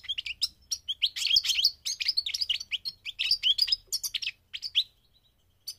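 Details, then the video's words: Goldfinch singing during migration, a quick, tumbling stream of high chirps and twitters that thins out into a few final notes. "The singing of the migrating goldfinch"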